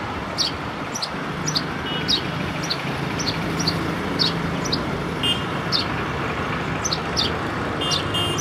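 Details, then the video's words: Sparrows in Nepal chirp in quick, bright, high notes, several per second, over a steady roar of road traffic. "Chirping sounds of sparrow"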